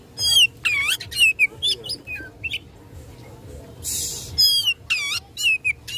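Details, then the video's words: Captive Oriental magpie-robin singing to provoke rival birds: loud sweeping whistled phrases, a softer varied middle passage, then a brief hissing burst before more bright, rapid notes; faint hum behind. "Kacer Gacor tarung memicu emosi lawan"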